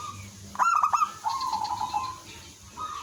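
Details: Local village zebra dove singing actively as a lure bird to draw other doves to answer: a burst of quick stuttered cooing notes, then a soft rolling trill that slides slightly lower, over faint low background hum.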